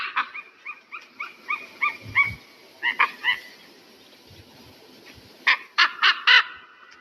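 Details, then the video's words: Eagle giving a series of short, harmonic chirping notes at about three per second, pausing, then a burst of louder, harsher notes; faint low thumps beneath. "REAL SOUND OF EAGLE"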